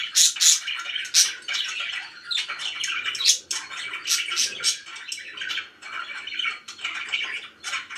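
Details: Pet budgerigars, described as very happy, kept indoors; a busy stream of high chirps, squawks and warbled notes in quick irregular bursts, several birds calling over one another in a small room.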